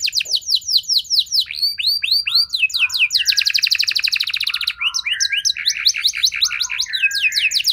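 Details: Canary singing, meant to prompt other canaries to reply and sing at length. A run of descending slurred whistles leads into a fast, rattling trill, followed by quick repeated hooked notes in brisk succession.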